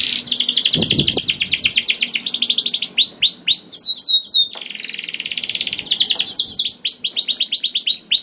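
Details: Canary song played to get other canaries singing: long fast rattling trills broken by loud looping whistled sweeps and buzzy stretches, the bird switching phrases every second or two.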